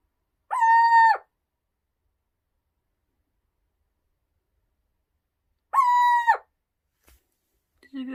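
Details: A pet little owl indoors on a hot day gives two drawn-out, even-pitched mewing calls about five seconds apart, each under a second long, screaming and calling; a brief faint sound follows at the end.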